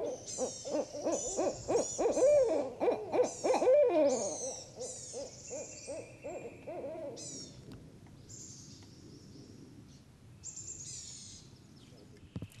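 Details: Four or five barred owls in Sparkleberry Swamp answer a played call, overlapping in loud, wavering, low hooting cackles with rising and falling slurs for about seven seconds, then fade; thin high whistles of other birds follow.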